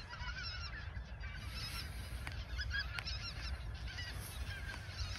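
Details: Autumn 2022 in the Ochsenmoor nature reserve: many geese call shortly before migrating south, with rapid, overlapping nasal honks, a few sharp clicks, and a faint low rumble.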